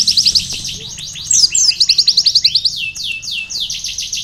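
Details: Sunbird singing energetically, offered as tutor material for canaries: dense high-pitched trills of quick repeated notes alternate with sliding downward whistles, the phrases following one another without pause.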